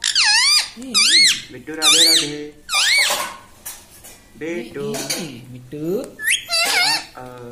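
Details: Pet talking parrot indoors producing loud squeaky whistled phrases, each a swooping rise-and-fall tone with strong overtones, interspersed with lower speech-like syllables, several bursts over a few seconds in a small room.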